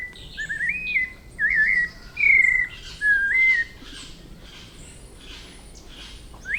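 A White-necked Thrush sings short, clear whistled phrases, each warbling and slightly rising, about one every second, over a soft hiss and faint background birds.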